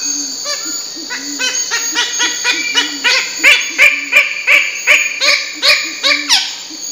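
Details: Bird-of-paradise calling in a loud, rhythmic string of rich, honking notes that speed up and grow harsher toward the end, roughly three per second, with a low buzzy drone beneath.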